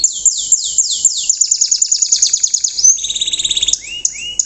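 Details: Riwikan song from a young canary in Indonesia, used to get other canaries to follow its singing: slow, loud downsweeping notes speed into a rapid high trill, shift to a lower buzzy trill, then end in rising whistles.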